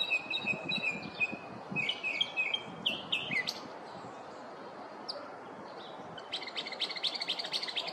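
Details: Northern mockingbird in a neighborhood at morning, imitating other birds: repeated whistled phrases, then sharp chattering notes, a pause, and a fast buzzy rattle at the end.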